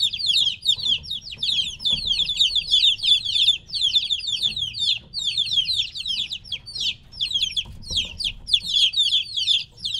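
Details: Chicks about three weeks old, kept apart from their mother hen, peeping loudly: a crowded, unbroken chorus of shrill descending chirps from several young birds at once.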